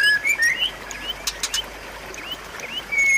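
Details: Song of a white-rumped shama, offered as a tutor for a bird that stopped singing: loud rising whistles, a pause with quick clicking notes, then a long clear whistle at the end.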